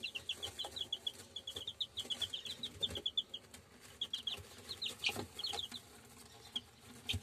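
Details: Purebred German Shamo chicks peeping steadily, many high, thin, slightly downslurred cheeps overlapping at a brisk pace throughout, with soft shuffling and knocks in the background.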